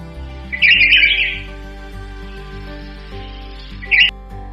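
Red-whiskered bulbul giving a bright, chattering burst of notes followed by a shorter second phrase a few seconds later, over steady background music.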